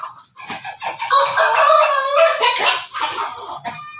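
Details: Rooster from a backyard flock crossbred from Pelung, Bangkok and Ketawa chickens, crowing with a rough, wavering tone that swells for about two seconds and then breaks into short choppy notes, other clucks in background.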